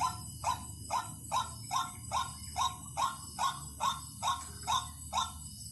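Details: Lure recording of a white-breasted waterhen: a steady, regular run of hoarse, nasal croaks about two per second, each note short and strong, with a faint hum and high-pitched whine running underneath.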